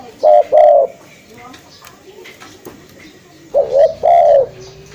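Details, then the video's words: Spotted dove call used for luring: two cooing phrases, each a short coo then a longer hollow one, separated by a quiet gap with faint background noise. "SUARA FULL BURUNG TEKUKUR"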